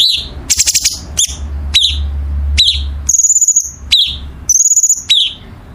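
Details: Masteran song of a 'gacor' songbird: a short buzzy burst, then spaced sharp downslurred chips and two drawn-out piercing high whistles, with a low hum in the background.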